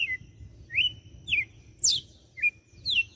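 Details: Açoite song of a red-cowled cardinal, Fortaleza, Brazil: loud, bright whistled notes alternating high downslurs with steady held tones, about six phrases in three seconds over faint low rumble.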